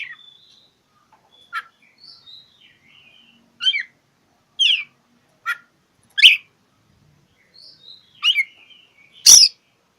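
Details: Oriental magpie-robin rival-seeking song used to provoke mute birds: sparse thin whistles and a string of sharp, separate chip notes roughly every second, ending in a loud harsh crack.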